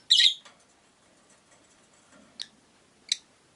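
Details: Caged rosy-faced lovebirds, five together by a window, give one loud harsh high squawk at the start, then two brief sharp chirps about two and a half and three seconds later over faint room noise.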